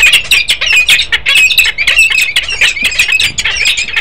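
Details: Peregrine falcon pair, male and female, at Harrisburg, Pennsylvania, 10 December 2020: dense harsh, rasping calls repeated rapidly and unevenly, several overlapping per second, continuing throughout the four seconds.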